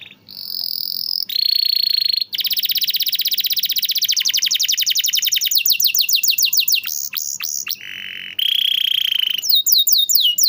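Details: Canary master song meant to get quiet canaries singing: short whistles, then a long rapid trill that loosens into separate swooping notes, a steady buzzy roll, and fast upswept notes to finish.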